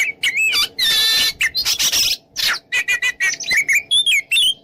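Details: Oriental magpie-robin in the open 'ngeplong' style, used to provoke rivals to fight; loud, varied song of whistled, rising and falling notes, buzzy bursts and rapid chattering phrases, nearly continuous.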